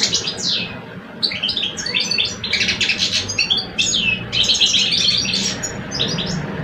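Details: Two caged male European goldfinches in Algeria, one older and one two years old, sing against each other. Continuous liquid twittering mixes descending slurred whistles with harsh buzzy trills, barely pausing.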